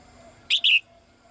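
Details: Single paired chirp from a caged female bird calling the male: a short bright note then a longer falling one.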